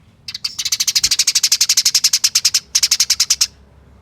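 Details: Eurasian tree sparrow fighting chatter, fast and tightly packed, used as a lure to get other sparrows calling: a nearly unbroken run of about thirty sharp, harsh notes with one brief break before the final volley.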